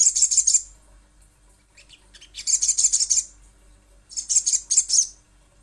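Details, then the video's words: Three bursts of quick, piercing high chips from a little spiderhunter, each under a second long, separated by quieter gaps with faint scattered notes. "Pancingan Sogon ~ Sogok Ontong Pasti Bunyi"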